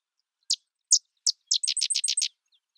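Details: A sedge wren sings three separate sharp, high chips followed by a rapid series of about eight dry, buzzy notes, each sharply clipped and evenly spaced. No other sounds.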